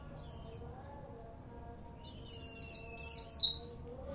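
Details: Oriental white-eye (pleci) singing energetically, with cililin and bren and cigun fills: two short high chirps, a pause, then long fast strings of piercing descending notes; quiet steady hum in the background.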